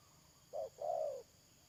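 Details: One phrase from a spotted dove kept as a trapping decoy, 31 May 2022: a short soft coo, then a longer smooth note fading downward, with a steady high background whine.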